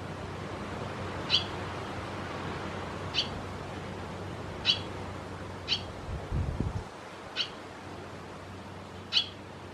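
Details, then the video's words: Barn swallow recorded in Croatia: brief high chirps repeated about every one and a half to two seconds, six calls in all, with a soft rustling thump midway and low background hum. "Lastavice , Hirundo rustica , Swallow"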